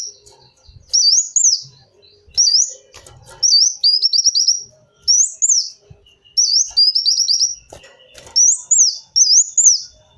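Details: Kolibri wulung sunbird song used as a lure: bursts of high, wavy, looping squeaks alternating with quick stuttering runs of repeated notes, about one phrase every second.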